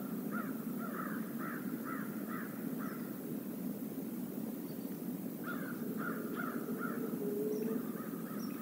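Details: Flock of crows at a stream area calling in two series of four to five harsh caws, a drawn-out note near seven seconds, over low stream noise.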